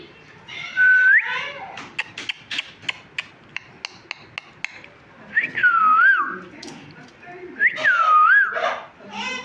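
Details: Talking parrot kept as a pet gives long swooping whistles that dip then rise, separated by a run of sharp rhythmic ticks and knocks.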